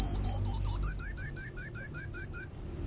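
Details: Sunbird known locally as kolibri wulung, singing actively: a fast even series of about twelve thin, high whistled notes, each slightly rising, delivered over two and a half seconds before stopping abruptly.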